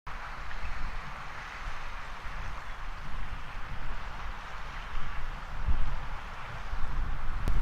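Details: Broad wind and water hiss with low rumbling gusts along Tallinn Bay in January, with no animal call rising above it.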